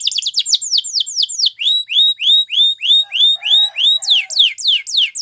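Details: Canary singing a training song: quick high downward sweeps that ease into slower, evenly spaced arching whistles about three per second, then speed up again into rapid falling notes.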